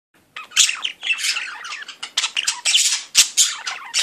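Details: Budgerigars during courtship, mating and beak-touching "kissing", chattering in dense, scratchy squawks and warbles.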